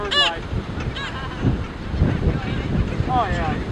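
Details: Black skimmers in a breeding colony with chicks give short, nasal, yapping calls, three in about four seconds, over a steady low rumble of surf and wind.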